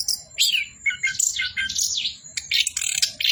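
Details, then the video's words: Short burst of continuous orange-headed thrush song in 'bocor' style, with fast, sliding whistles and warbled chirps overlapping densely, plus a faint low hum beneath. "BURUNG ANIS KEMBANG BOCOORRR"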